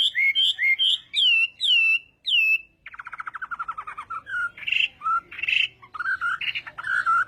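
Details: Chinese hwamei in contest-style morning song practice, repeating a curved whistled phrase about twice a second, then a fast rattling trill falling in pitch, followed by varied short whistles and harsher notes.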